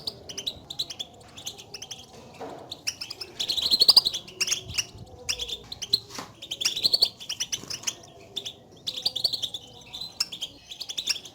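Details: Batbata contact calls of European goldfinches, which call to one another to announce their presence and can excite a lone caged bird into song; rapid high twittering in irregular clusters, loudest near the middle, with brief pauses between.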